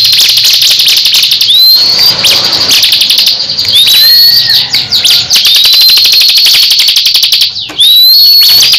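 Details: Caged crescent-chested babbler trading song with another ciblek in a duel; continuous high rattle with rising whistles roughly every two seconds and a few lower flat notes.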